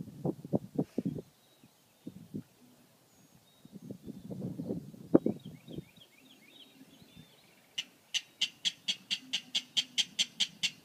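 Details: A rail at Skidaway Island, thought by ear to be a King Rail though it looked like an Atlantic Clapper Rail, gives low grunting clucks, then a fast even run of dry kek notes, about four a second; another bird whistles faintly.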